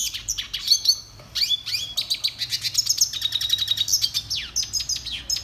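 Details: Red siskin, a finch of northern Colombia and Venezuela, singing for song training; bright high twittering with sweeping slurs and buzzy trilled passages, one brief pause early on.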